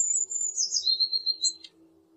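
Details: Blue tit singing: thin, very high notes drop into a fast, slightly lower trill that ends abruptly, with a faint low steady hum underneath.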